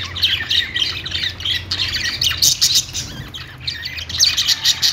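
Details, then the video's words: Dense budgie chatter of squawky, rasping notes and high chirps, pulsing irregularly without pause. "budgie singing | budgie sounds"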